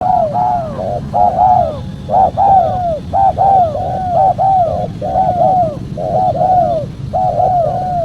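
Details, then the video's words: Spotted dove calls used as a lure for calling in wild doves, a clear recording. Short and drawn-out mellow coos run in quick, overlapping phrases about once a second over a steady low rumble. "PEMANGGIL BURUNG TEKUKUR SUPER JERNIH"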